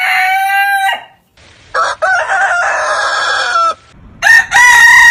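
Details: Rooster crowing: a loud harmonic crow ending with a drop, a pause, then a rougher, noisier crow lasting about two seconds, followed by another bright crow starting near the end.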